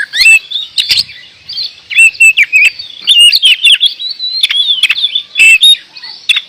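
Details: Indonesian oriental magpie-robin (kacer) in full 'gacor door' song: dense, continuous warbling of sweet whistles, rising and falling slurs and sharp chips, with almost no breaks.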